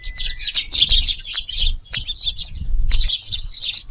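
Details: Eurasian tree sparrows crowding a garden feeder at evening on 6 July give clustered sharp chirps in quick bunches, broken by short gaps, over soft low background noise.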